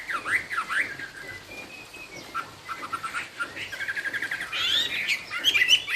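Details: Chinese hwamei singing a high-pitched song with rich variety: swooping slurred notes, long level whistles, then a dense burst of rapid rising and falling phrases near the end.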